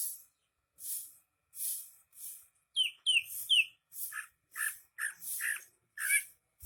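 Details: Energetic greater green leafbird song made of harsh, scratchy bursts at roughly two per second, interrupted midway by a quick run of clear downward whistles and then lower chattering notes.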